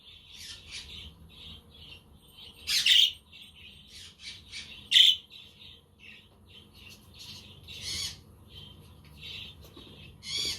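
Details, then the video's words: Budgerigars chirping on a sunny but windy day, with a quaker parrot and a conure in the background; steady run of short high chirps and warbles, about every two seconds, plus two sharp loud squawks. "Parakeet Friends for your LONELY budgie birds"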